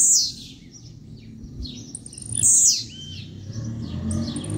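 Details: Captive-bred blue-black grassquit giving two bright, high, buzzy song bursts about two seconds apart, each sliding down in pitch. Faint chirps from other birds and a low rumbling background fill the gaps.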